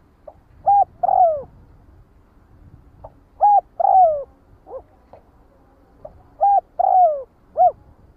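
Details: Spotted dove calling the flock: soft low cooing phrases repeated about every three seconds, each a short coo, then a longer falling croo, sometimes ending with a brief extra coo, over a quiet background.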